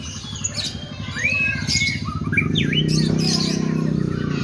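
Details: White-rumped shama singing with sooty-headed bulbul mimicry, sliding whistled notes and sharp down-up sweeps, partly covered by a loud low vibrating hum that grows stronger toward the end.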